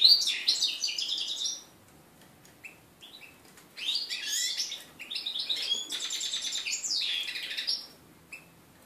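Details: Canary crossed with red-breasted flycatcher, a 2013 mule giving its first song after moult on 11 January 2014: two bursts of high rattling trills and whistles separated by quiet gaps with faint single chips.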